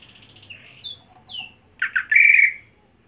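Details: Captive greater green leafbird, a home-raised contest bird: a short series of thin sliding whistles, some falling, then a burst of rough chattering ending in a long harsh buzzy squawk.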